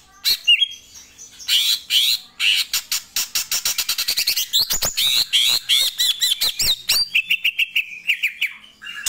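A greater green leafbird gives a fast, varied run of sharp chips and buzzy notes, then ends with clear, slurred whistles.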